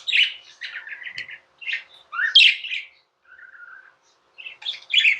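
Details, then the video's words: Tamed budgerigar chirping in a room: scratchy, buzzy chirps, a rising squeak, a soft steady warbling trill, then a closing burst of harsh chatter. "Budgies | Talking | Singing | Chirping sounds"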